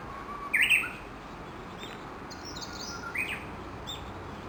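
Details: Japanese bush warbler song at about 7:30 am by Gakushima Bridge in Kawashima, Yoshinogawa, Tokushima Prefecture, where dozens fed beneath a chinaberry tree; a low held whistle opens into a loud twisting flourish, then a second quieter flourish follows, with constant background hiss.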